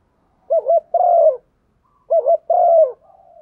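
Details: Spotted dove hen urging a male to coo, used as a decoy call: two loud phrases, each a pair of quick wavering notes followed by a sustained low coo sliding down at the end.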